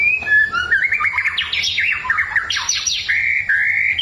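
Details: White-rumped shama singing to provoke a neighbour's bird: a continuous, fast medley of wavering whistles and jumpy warbled notes that climb and fall, ending on steady, level whistled tones.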